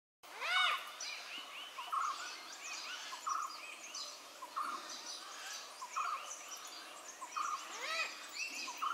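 Malabar grey hornbills giving a busy, cackling chorus of harsh, arched squawks, with a louder note about every second and a half over overlapping chatter.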